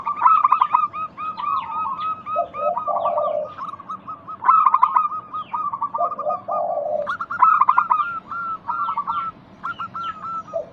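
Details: Local zebra dove lure song to coax silent doves into singing: chattering runs of high, clipped cooing notes overlapping among several birds, alternating with deeper purring phrases roughly every three seconds.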